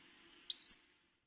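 Western Flycatcher giving a single high, slurred whistle that rises sharply then drops, like a whistle to hail a taxi; otherwise quiet.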